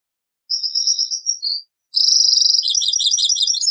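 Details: European goldfinch singing in the Taqsrayn song style, taken from an old cassette recording: a short high twittering phrase, a brief pause, then a denser run of rapid, liquid, chattering notes.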